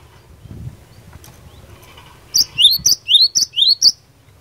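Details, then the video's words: After a quiet, faintly noisy start, a cinereous tit launches into challenging song meant to draw answers from other tits, a fast string of about three or four high-then-swooping double notes. "Burung Glatik Batu Gacor Fighter, Cepat Bikin Glatik Lain Langsung NYAUT"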